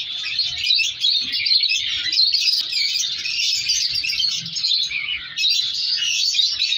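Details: Numerous color lovebirds in an indoor breeding colony chatter constantly in shrill, rapid chirps, the chorus dipping briefly and then resuming at full strength.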